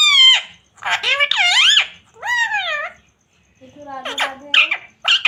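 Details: Talking parrot producing speech-like syllables in a high, nasal voice: several swooping, wavering phrases separated by short gaps, with a lower steady tone near the end.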